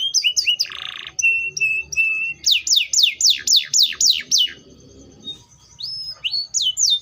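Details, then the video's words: Canary (Serinus canaria) song with short chips, a harsh buzzy burst, level whistled notes, then a rhythmic string of loud downslurred whistles and rising upslurred phrases. "THE VOICE OF THE CANARIA SERINUS"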